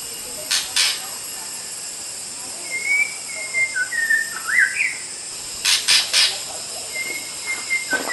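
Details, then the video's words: White-rumped shama singing a tutoring song for other songbirds: a long whistled phrase with twisting slurs, then a fainter whistled run later, amid a steady high hiss and several sharp clicks. "SUARA BURUNG - Masteran Terbaik Murai Batu"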